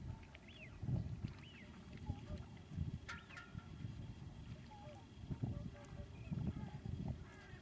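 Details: Flock of common cranes at Lac du Der during the exceptional February 2011 migration from Spain: two looping trumpet calls early on, then many brief overlapping calls from further birds, against heavy low-pitched wind noise.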